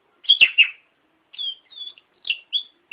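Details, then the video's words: Oriental magpie-robin song used for training other birds: short, separate whistled and slurred notes with some harsh chatter, given in scattered phrases against a silent background. "Masteran Burung Kacer"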